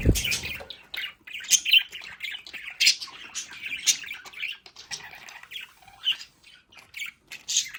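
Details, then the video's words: Pet budgerigars in their indoor play area at home, chattering busily: a steady stream of scratchy chirps, squawks and warbled notes, with a short thump at the very start. "Sonidos de Periquitos Australianos en casa"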